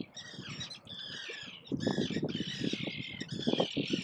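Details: Defending gull parents by their flightless chicks on a small island, about 15-20 metres off; long harsh squawks ring continuously, with a burst of low clattering noise joining midway.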